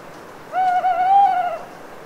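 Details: Night in a Cévennes foothill forest after long autumn rain, a lone owl calling; a longer, wavering hoot of about a second with a brief dip partway, rising slightly before ending, with faint dripping water.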